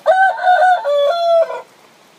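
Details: Rooster crowing while a hen sits on her eggs: one loud crow of about one and a half seconds, a brief harsh opening followed by drawn-out tonal notes that hold steady, then a rough, falling end.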